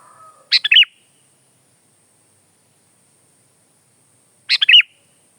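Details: Sooty-headed bulbul song used as a tutor and lure recording: two brief phrases about four seconds apart, each a rapid cluster of sharp notes ending in looping, liquid whistles, with a faint low sound at the start.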